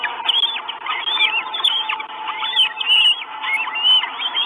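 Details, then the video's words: Hungry Northern goshawk chicks, four of them, in a nest in Estonia on 1 June 2022 on a live camera: high thin whistled squeals, each rising then falling, repeated under a faint steady hum. "4 CHICKS WISH FOOD. NORTHEN GOSHAWK."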